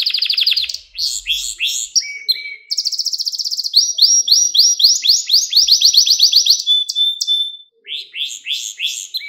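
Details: Domestic canary tutor song for teaching young birds: rapid repeated upswept chirps in rolling tours, a short flat whistle, then long fast trills of rising notes, ending with spaced bright chips after a brief pause.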